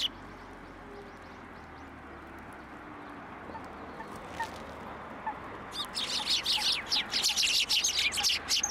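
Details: Quiet at first with a low hum, then from about six seconds a noisy chorus of many sparrows chirping rapidly and continuously as they come to a post for food at a Tenmangu shrine, 2 January 2023.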